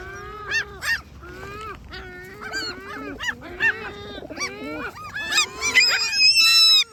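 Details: Great black-backed gulls making complaining calls: a busy series of short, nasal, honking yelps from several birds, speeding up. Higher, thinner squeals join toward the end.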